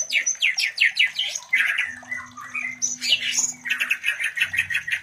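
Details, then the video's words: Mating sounds of a white-rumped shama, meant to bring other shamas into breeding readiness; rhythmic harsh scratchy notes repeated rapidly, broken by squawks, with a faint low hum in the background. "Terapi Suara Murai Batu Kawin"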